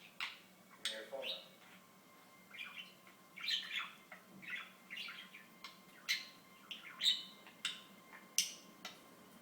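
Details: Pet budgie chattering, with repeated short sharp chirps and buzzy warbles about every half second over a steady faint hum.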